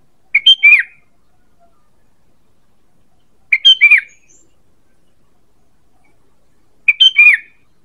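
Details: Three evenly spaced phrases from a sooty-headed bulbul, the call used to lure birds, each a brisk burst of chirps ending in a down-slurred whistle, otherwise quiet.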